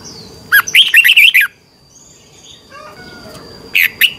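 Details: Red-whiskered bulbul in competition singing, used for training birds to sing: a loud burst of rich, warbled whistled phrases, a quieter pause with faint notes, then another short loud phrase.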